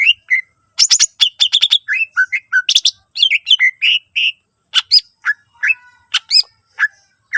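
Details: Greater green leafbird singing continuously to draw song from other leafbirds: a lively mix of short whistles, sharp chips and buzzy bursts, varied from note to note with only brief gaps.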